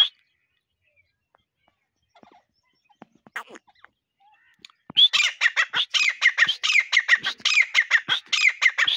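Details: Partridge calls played as a hunting lure: after about five seconds of near silence with faint scattered clicks, a loud dense burst of harsh, rising, squeaky notes repeats rapidly and unevenly until the end.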